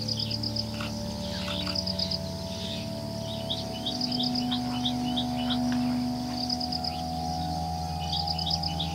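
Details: A run of sharp, clipped chirps from an ashy-crowned sparrow-lark in the middle stretch, between bursts of rapid insect-like pulsing and a background of low humming tones.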